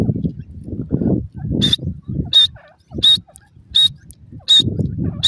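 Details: A francolin (dhobi teetar) chick in the forest gives thin, high peeps, one about every three-quarters of a second, over low rumbling and handling noise.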